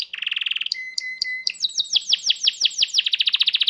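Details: Canary singing a varied song: a fast trill, a few sharp clicks with a steady whistled tone, then long series of rapid sweeping notes repeated several times a second.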